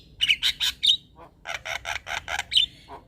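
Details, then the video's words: Male Javan myna, jalak kebo, in song meant as a lure for other mynas: rapid harsh rasping notes in two short bursts, each opened by squeaky whistled tones, separated by a brief gap. "Ocehan Jalak Kebo Jantan"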